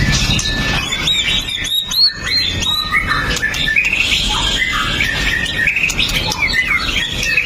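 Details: Pastol-style white-rumped shama, described as a sharp-shooting fighter, in a song meant to stir rival shamas; phone recording. A varied, restless warble of looping whistles and chattering notes with a steady background hiss.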